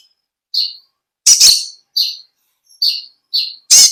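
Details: Natural, vigorous song of the olive-backed sunbird (konin): short, high, clipped chirps at uneven intervals, broken by two loud harsh bursts.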